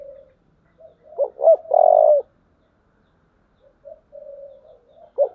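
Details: Spotted dove in the 'giọng thổ' style, calling to incite a fight: two quick hooked notes lead into a loud sustained coo; after a pause, gentle wavering low coos and another sharp hooked note.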